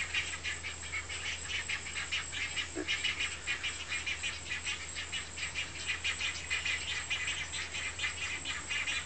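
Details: Great Egret mother feeding large chicks at a nest: a fast, dry, rattling chatter of clicks, about two a second, kept up throughout over a steady low hum.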